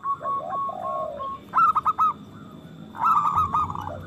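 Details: Local zebra doves kept as a singing lure for breeding. Soft clipped notes over a low drawn-out tone lead into two louder bursts of rapid staccato cooing.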